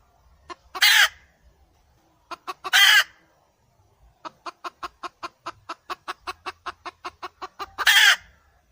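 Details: Female red junglefowl calling: raspy broadband squawks separated by pauses, followed by a steady series of clipped clucks, roughly three per second, ending in one more harsh squawk; no other sounds.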